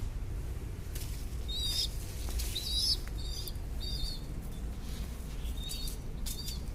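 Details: Growing pigeon chicks give thin, high squeaky peeps, short rising-and-falling notes repeated in uneven bursts, over bursts of rustling or wing flutter and a steady low rumble.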